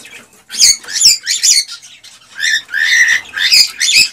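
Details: Male cockatiel's excited breeding song aimed at a female. Loud, buzzy, harmonic chirps come in quick groups of two or three, separated by short gaps, with faint tapping underneath.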